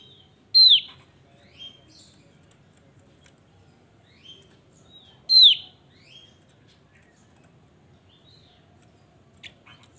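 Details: A Javan grey-throated white-eye sings lively, loud, high down-slurred whistles roughly every five seconds, each followed by a few short chirps, with quiet gaps between.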